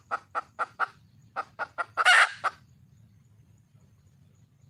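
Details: Red junglefowl hen, wild, calling to attract a male: six quick clucks, a loud raspy squawk, one last cluck, then quiet.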